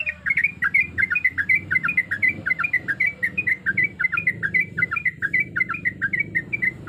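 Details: Female sooty-headed bulbul in breeding condition calls to attract males, giving a steady stream of quick, bubbly, up-and-down whistled notes, about two per second, over a low continuous hum.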